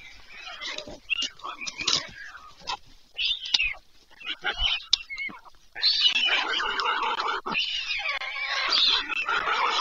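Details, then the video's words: Evening feeding of White stork chicks on a nest-cam at Leliaky, near Pyriatynskyi National Nature Park, Ukraine, 21 July 2024. Broken mewing, cat-like calls, then a continuous loud rasping chorus of begging. "ВЕЧЕРЯ. ЛЕЛЕКА БІЛИЙ. ПИРЯТИНСЬКИЙ. УКРАЇНА 21-7-24-CHICKS. WHITE STORK"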